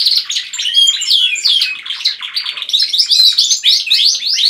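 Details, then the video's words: Canaries kept in a house singing together, one in the lead: a mix of clear whistled notes, fast trills and chattering warbles that grows louder toward the end. "Canaries singing."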